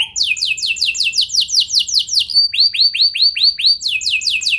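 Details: Gacor canary singing as a lure for other canaries. Repeated falling whistled sweeps give way to rounded, arching notes, roughly three per second.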